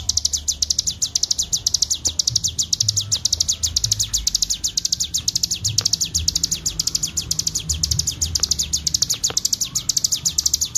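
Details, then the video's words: Bar-winged prinia recorded as a master for training, singing in ngebren style: a long, rapid, rattling string of high, clear chirps with barely any pause. "masteran cigun ful ngebren gacor suara jernih"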